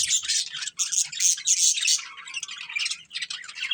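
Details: Several colourful budgies keep up a fast, chattering stream of raspy chirps and squeaky notes, louder in the first two seconds and then softer and broken.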